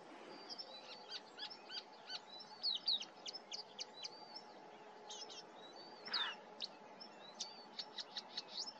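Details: Marsh warbler singing at Starene bird observatory, Norway, in 2023; a quick, varied run of high chattering notes, trills and short whistles with brief pauses, over a faint steady hum.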